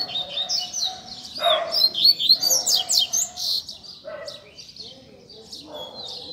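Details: Tutor song of a Rusty-collared seedeater, meant for young birds to learn from: a bright burst of fast, high twittering notes and trills, followed by softer separate chirps with background murmur.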